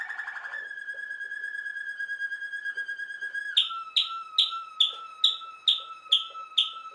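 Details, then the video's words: Waterslager canary (Malinois canary) singing: a brief rattling start, a long flat whistle lasting about three seconds, then a run of eight sharp descending whistled notes repeated steadily about every half second. "Waterslager canary singing Malinois canary"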